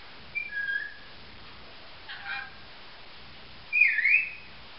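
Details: Pet female lorikeet with grey-green olive plumage, kept indoors, making various noises. Two shrill whistled calls, a short one early on and a louder, screechier one near the end, with a faint softer note between them.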